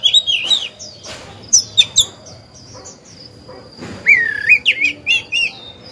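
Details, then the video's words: Caged oriental magpie-robin used as a lure singer to stir other birds; scattered high whistles and short chips, then a rich warbled rising phrase near the end, with quiet gaps between. "Chòe than hót hay, luyện mồi, kích bổi, tập chim non, mép vàng hay!"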